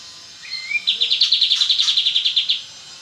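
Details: Oriental white-eye of the type called kapas tembak, singing actively in the rapid-fire ngebren style: a thin rising whistle, then a fast burst of about fifteen sharp, high chirps in under two seconds.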